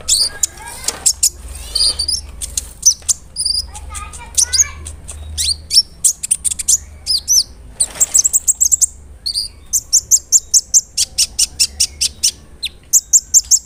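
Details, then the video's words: Large-bodied brown-throated sunbird in full song, used as a lure to make other sunbirds more agitated: shrill, sharp high chips and short trills in rapid bursts, ending in an evenly spaced run of piercing notes, with a faint low hum behind. "PANCINGAN KONIN GACOR BODY BIG SUARA NYES BIKIN KONIN LAIN TAMBAH EMOSI"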